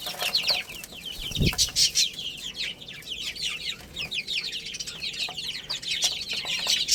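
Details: Playful, feeding chicken chicks produce a continuous chatter of shrill downward-sweeping peeps, overlapping closely, with one low thump early on and light clicks throughout.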